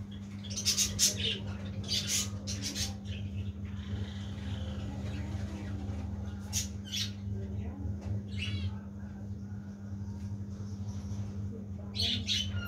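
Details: Budgerigars (Melopsittacus undulatus) give scratchy, chattering chirps in short bursts over a steady low mechanical hum.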